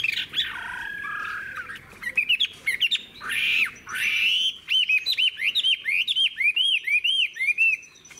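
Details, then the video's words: Old wild-matured Chinese hwamei singing long phrases, slurred mellow whistles giving way to a steady string of short arched notes repeated rapidly, loud and clear over a quiet background. "Họa mi già rừng hót hay - Đuôi lá vả - Trường chim"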